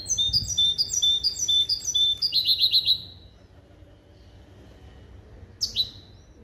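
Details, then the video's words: Hybrid songbird from a male European goldfinch and a female canary, trained in clean limpio song, delivers a three-second sequence of rapid twittering trills shifting into a rolling rattle, followed by a lone sharp chirp. "CHANT DE MON HYBRIDE JILGUERO ET CANARI"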